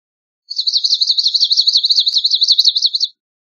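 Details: Song of a swamp sparrow: a steady, rapid trill of sharp, slurred chips, evenly spaced at about four per second for over two and a half seconds, with a faint click midway.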